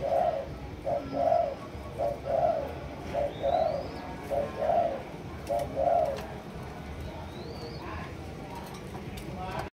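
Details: Malaysian spotted dove, a two-month-old bird of a running-coo bloodline, kept as a caged songbird; soft low coos in repeated phrases about every second, with faint higher chirps from other birds in the background.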